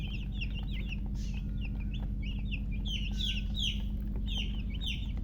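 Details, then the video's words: Newly hatched, just-born chicken chicks chirping loudly: a rapid, overlapping stream of high, short peeps with downward-sliding notes from several chicks, several per second, over a steady low mechanical hum throughout. "Tot Murgi chicks chirping sounds Just Born Baby"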